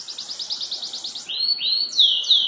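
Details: Canary singing during mating: a fast, very high buzzy trill of about a dozen rapid notes, then smooth whistled notes sliding downward, and two bright descending sweeps at the end.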